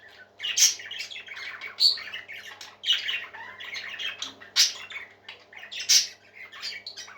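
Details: Parakeets chatter and squawk together: scratchy, grating notes mixed with twittery warbles, and strong harsh squeaks recurring about every one to one and a half seconds, over a low steady hum.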